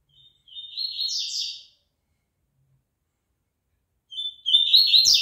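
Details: A caged double-collared seedeater being exercised before a singing tournament gives two bright, fast, high twittering phrases separated by a few seconds of silence; a soft knock near the end.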